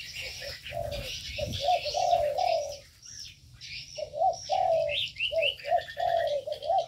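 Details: Several birds kept in an aviary: a busy mix of high chirps and short rising whistles sits above repeated low, wavering coos that drop out briefly midway and then resume.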